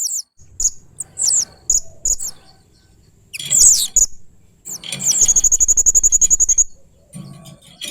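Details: Strange and fierce 'main singa' sounds from a blue-crowned hanging parrot: high squeaky chirps, a harsh burst, then a fast even trill of thin notes lasting nearly two seconds, over faint low rumbling.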